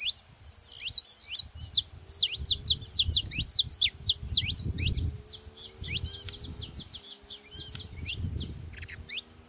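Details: Saffron finch song, played to get a reluctant canary singing: rapid runs of sharp, high, slurred chirps, many sweeping downward, delivered in dense bursts with brief pauses, over a soft low rumble.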